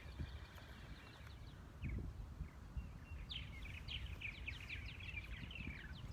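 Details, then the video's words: Purple martins at a white birdhouse in the Missouri Botanical Garden on 3 April 2020 chatter in the background with gurgling, slurred chirps that thicken in the second half, over steady low wind rumble. "You can hear those purple martins singing in the background probably."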